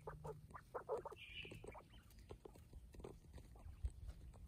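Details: Pet quails, without human noises: soft, short clucking notes in quick irregular bursts, with one brief higher squeaky note, over a low steady background rumble.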